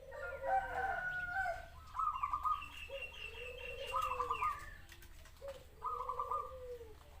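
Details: Zebra doves singing overlapping phrases of low curved coos and quick rippling trills, three trilled bursts in all, joined by a higher-pitched bird's repeated notes.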